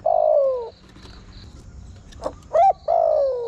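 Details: Decoy call of a spotted dove for attracting wild birds: a long sliding croon ends one phrase, a pause with a faint click follows, then a sharp coo and another falling croon begin the next. Insects trill softly behind.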